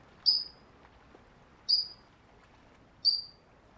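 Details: A Eurasian coot parent, away from its chicks, gives a distraction call to lure predators: three sharp, thin, high-pitched notes about every second and a half over a faint background hiss.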